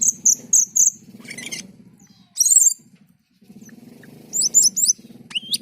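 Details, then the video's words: Black-and-white bulbul in gacor and teler song: four repeated high whistled notes, then scratchy bursts and a rising slur, over a loud continuous low droning hum. "Suara MENYERAMKAN Burung Cucak keling ketika gacor dan teler"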